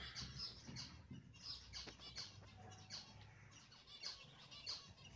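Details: Swimming chicks peep in short, high, sharp notes, one roughly every half second, over a low background hum.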